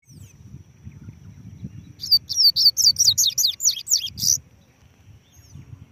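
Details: Double-collared seedeater singing while perched on a hand: a fast burst of about ten high, sharply modulated whistled notes over roughly two seconds, then quiet with faint low background rumble.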